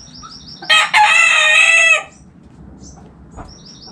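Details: Backyard rooster gives one loud, harsh crow lasting over a second, rich in overtones, while small wild birds whistle softly before and after it.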